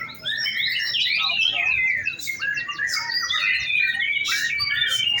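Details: Caged white-rumped shama during an afternoon contest simulation, routine practice at a bird-hanging stand: dense, rapid high warbling with quick whistled slurs and sharp buzzy notes, overlapping other birdsong, with faint human voices underneath.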